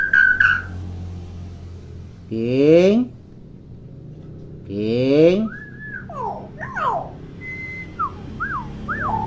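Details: Common hill myna, a chatty bird used as a model for young mynas not yet vocalising, giving two harsh, voice-like phrases with a "king"-like sound, then a string of bent and looping whistles over a low indoor hum.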